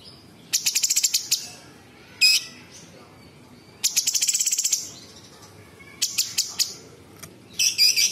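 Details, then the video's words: Cucak cungkok bulbul in full song with rough, dense imitation phrases of small birds, large birds and insects: bursts of rapid high ticking trills alternating with short sharp chirps and brief pauses. "Cucak cungkok istimewa gacor variasi tembakan istimewa tajam kasar rapat super pedas full isian"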